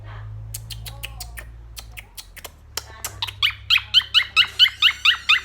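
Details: A pet blue monk (Quaker) parakeet talking to its companions gives a fast run of harsh, squeaky chattering calls after a few sharp clicks.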